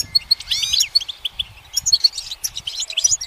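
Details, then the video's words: Perched goldfinch pouring out fast, liquid, high-pitched twitters, including a rapid buzzy rising-and-falling flourish, then more tinkling chirps, with soft low rumbling in the background. "The goldfinch's motivational song"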